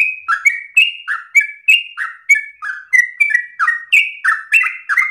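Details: Persistent, long-breathed song of a yellow-vented bulbul with rapid rolls, intended as an easy model for trainee bulbuls: fast alternating high and low whistled notes, roughly three per second, continuing throughout against quiet surroundings.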